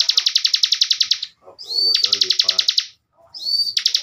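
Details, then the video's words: Caged bar-winged prinia (ciblek bren) kept as a master songbird gives rapid high buzzy trills. Each is opened by a bright upslurred whistle. Soft lower murmurs sound between phrases. "CIBLEK Bren COCOK BUAT MASTERAN"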